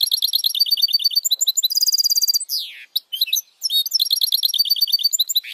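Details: Goldfinch hybrid, called a goldfinch mule, singing powerfully for song training: rapid high chattering trills, a steady pulsed trill, a downward slurred sweep, short pauses, then resumed fast twittering.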